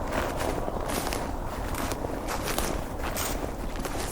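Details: Crunching footsteps outdoors in a rural setting, with a faint murmur in the background.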